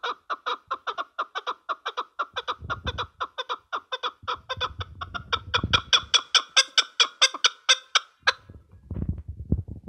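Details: Chukar giving a long rhythmic series of harsh, stacked clucking notes, several per second, swelling louder and slightly faster before cutting off abruptly; low thumping noises run underneath in places.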